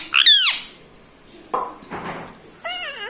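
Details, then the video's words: Talking household parrot, taught "mummy" and "mithu", utters a short squeaky wavering syllable at the start, a few soft knocks in the middle, and another falling, warbled syllable at the end. "Mummy bolo mothu || mummy ka pyara tota || bolo mithu mithu"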